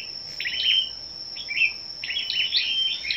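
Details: Competitive morning song of scarlet-backed flowerpeckers, 10 May: sharp, very high chips clustered into short tinkling phrases separated by brief pauses, a steady shrill hum running underneath.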